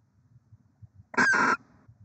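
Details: At an Oceanside, California nest holding six eggs, December 23, 2023, a barn owl gives a single harsh, hoarse screech with a brief break in the middle, lasting about a third of a second, amid faint low knocking.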